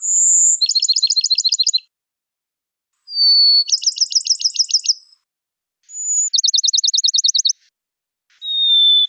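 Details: Male Bachman's Sparrow songs, a species with about fifty song types: a high, pure whistled note followed by a rapid musical trill, each song a different type, repeated three times with short pauses.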